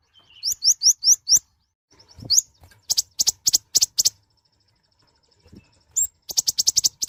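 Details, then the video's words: Mouse-colored sunbird, tiny and loud-voiced, in active song: five quick rising whistled upslurs, scattered sharp high chirps in short bursts, a pause, then a fast run of clipped piercing notes. "Kicauan suara burung Kolibri Ninja(konin) gacor"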